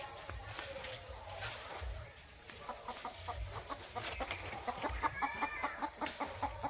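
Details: Desi chickens clucking while being shut into their house, giving soft, rapid repeated clucks that become louder and more regular toward the end, over low rumbling background noise.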